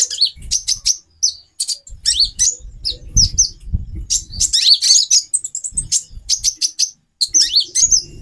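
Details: Female brown-throated sunbird in captivity, calls intended to arouse a male: irregular bursts of high sharp chips and scratchy twitters, with low rumbling thuds in the middle section.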